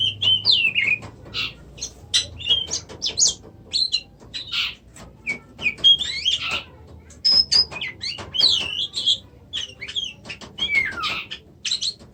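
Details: White-rumped shama, a songbird kept in Indonesia, pouring out a varied song of sharp clicks mixed with looping, slurred whistles that swoop up and down, phrases following each other with barely a pause.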